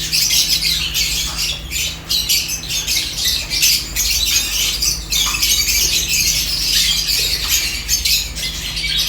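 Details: Corn-eating lovebirds, seventeen together, chirp in an unbroken high, shrill chorus of short overlapping notes, louder in bursts, with a low steady hum behind.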